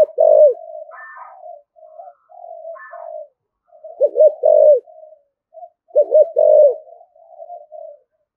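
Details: Spotted dove in an energetic rustic cooing style: low hooked double notes and sustained coos recur every few seconds among softer murmured notes, with brief higher chirps from another bird.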